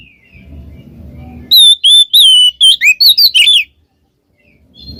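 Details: Loud ngeplong-style Oriental magpie-robin song with ngekek notes, used to lure a silent bird into song: about nine clear whistles in two seconds, some slurred down and some up, after soft thin notes and a low background rumble.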